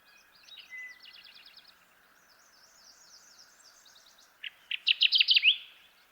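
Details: In Michigan a Kirtland's warbler delivers loud, separated chip notes that quicken into a bright, ringing phrase, after softer trills and high, thin repeated notes from other birds in the background.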